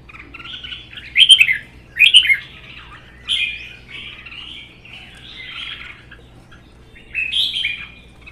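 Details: Red-whiskered bulbuls in a singing contest, two caged birds, one wild-caught and held one season: two loud, harsh warbled bursts, then softer, drawn-out chattering phrases and a final whistle.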